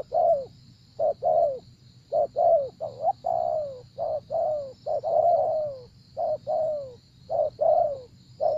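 A spotted dove gives soft, hollow, slightly falling coos in quick clusters, about one note per second, over a faint steady high insect hiss.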